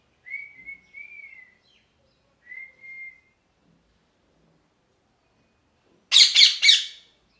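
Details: Parrot whistling two clear, level notes with a brief gap, then after a silence bursting into three rapid, grating squawks; quiet surroundings otherwise.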